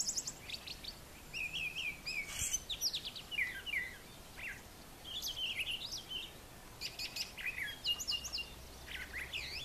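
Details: Brown thrasher in morning song at a farm yard with brushy nesting areas; bursts of varied whistled and raspy notes separated by short pauses, some phrases sounding doubled, over light background noise.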